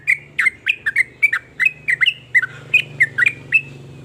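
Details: Sooty-headed bulbul song, varied phrases claimed to make other bulbuls join in; bubbling, slurred whistled notes in quick succession over a steady low mechanical hum.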